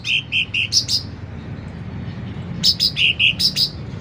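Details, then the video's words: Loud, vigorous sooty-headed bulbul song: two brief phrases of bright piping notes that step between two pitches, separated by about one and a half seconds of quiet background hiss. "Suara Cucak Ranting Gacor Volume Keras"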